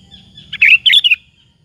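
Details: Sooty-headed bulbul in lively song, used as a lure to provoke other bulbuls to answer: a short, bright, bubbly phrase of three quick chirping notes within under two seconds, otherwise quiet.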